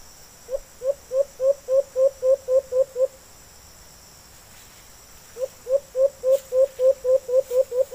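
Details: White-eared brown dove in the wild calling in reply to a decoy bird: two runs of about ten rising hoots each, delivered at a steady pace, separated by a two-second pause.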